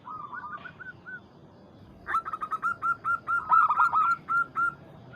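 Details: Zebra Dove of local stock, Bangkok cross, calling out a rival: soft distant coos first, then a loud, rolling run of about a dozen quick, rhythmic arched notes lasting nearly three seconds, ending in a few lighter coos.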